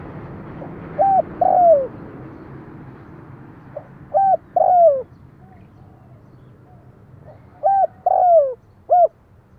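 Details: Kept decoy spotted dove in Vietnam calling to lure wild doves: two bouts of three mellow coos, a short note, a longer falling coo, then a clipped final note, separated by a quiet pause.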